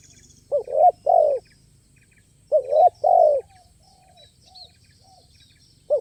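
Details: Spotted dove calling at a lure site among other doves, a crisp-voiced bird with playful, stuttering phrasing; two paired cooing phrases, each of two soft hooted notes, about two seconds apart, with faint high chirps from small birds.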